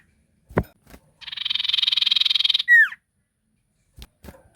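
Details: Ashy tailorbird singing actively, used as a lure to make other birds answer: a dense buzzy pulsed trill of about 1.4 seconds ending in a sharp downslurred note, with a few soft clicks before and after.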